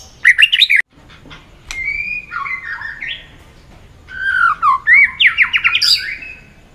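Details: White-rumped shama singing competitively with many voices: quick, high chattering notes, then drawn-out whistles and a lively passage of slurred, zigzagging phrases.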